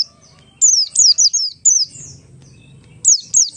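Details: Oriental white-eye (Buxtoni) singing ngalas as a lure for other white-eyes: a rapid run of four or five high, falling whistled notes, a brief pause, then two more sharp descending whistles, with soft low murmur underneath.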